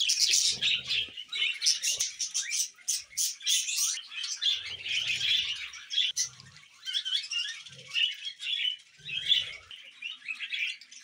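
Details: Pet budgerigars chattering indoors: dense, fast scratchy warbling and chirps in quick bursts, with brief pauses around four and six seconds and faint low thumps beneath.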